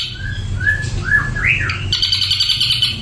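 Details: Ashy drongo giving a string of short slurred whistles that rise and fall, then a thin buzzy chatter, with a constant low background hum.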